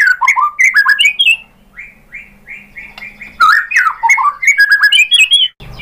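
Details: Shama (murai batu) song played to provoke rivals into singing: rich varied warbled phrases, a softer run of evenly repeated mid-pitched notes, then a renewed burst of loud mixed whistles and chatter.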